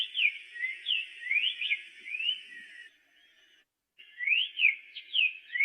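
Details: Black-faced tanager singing clear whistled notes that slur up and down, given in quick phrases, with a brief pause near the middle before the song resumes over a steady faint high hiss.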